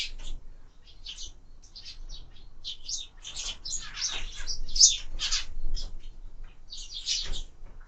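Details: Sparrows feeding at feeders mounted on a window, uttering irregular, somewhat harsher chirps in loose groups with short silences between them.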